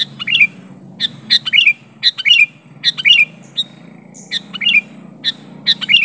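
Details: Sooty-headed bulbul challenging a rival with its pure, unmimicked call: busy, tightly packed runs of chirpy three-note phrases with slurred endings, nearly continuous, over a steady low background hum.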